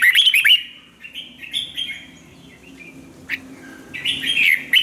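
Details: Red-whiskered bulbul in song training sings a rich, fast warble, then softer drawn-out whistles, ending with another loud cluster of tumbling notes.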